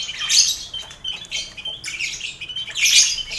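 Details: Caged lovebirds in a busy colony aviary shared with finches and quail, recorded as mental training for contest lovebirds: harsh, high screeching squawks in bursts, overlapping and noisy, loudest near the start and end.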